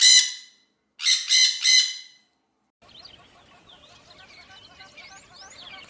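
A parrot gives one harsh, raspy squawk, then three more in quick succession. A faint chatter of small birds follows.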